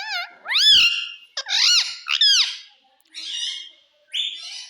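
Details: Talking parrot imitating "mummy" and "papa", giving several loud, strained, voice-like syllables that bend up and down in pitch, the later ones softer and breathier, with brief pauses between.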